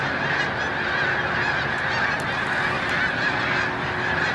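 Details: Thousands of honking snow geese blend into a continuous, even chorus at Montezuma, New York, on 7 March 2022, as spring migration nears its peak.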